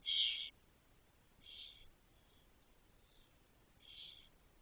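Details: Spotless starling nestlings, six chicks near fledging in a cork oak in Doñana National Park, Spain: three harsh raspy high bursts, the first loudest, separated by quiet gaps.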